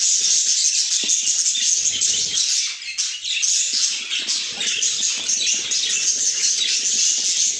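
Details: Chirping pet budgies fill the air with a constant stream of shrill, overlapping twitters, with a short dip in volume midway and faint low thumps.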